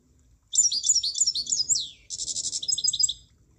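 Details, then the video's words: Munia song: a twittering series of thin, high chirps that drops at the end. After a short gap comes a rapid, buzzy pulsed trill with a few clipped notes. Faint low rumble behind it. "Kicauan Burung Emprit"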